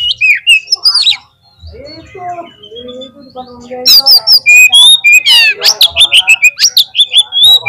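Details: Oriental magpie-robin in full song, used as a lure to prompt another bird to sing at a contest field: loud, varied whistled phrases with sliding high notes, buzzy trills and rapid chips. A quieter low-pitched warbling passage falls mid-way.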